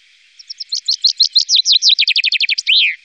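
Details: Common chaffinch in the Wittlicher Tal, recorded in 2018, delivers a full song: sparse opening notes that speed into a rattling descending trill, then a quick run of notes ending in a loud downslurred flourish. A faint steady hum sits underneath.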